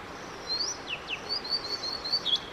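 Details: Male Blue-and-white flycatcher in an extended song bout, May 5, 2022: a varied phrase of high rising whistles, two quick downward slurs, a run of short level warbled notes and a final dipping flourish.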